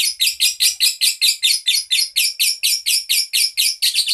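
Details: Young songbird starting to sing with skill, giving a rapid, even series of short, harsh high chirps, roughly fifteen in four seconds, loud and clear against a quiet background.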